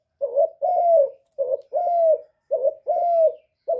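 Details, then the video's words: Spotted dove gives soft, hollow coos. A brief wobbly note leads into a drawn-out even note, and the pattern comes three times in quick succession against a quiet background. "CU CƯỜM GÁY"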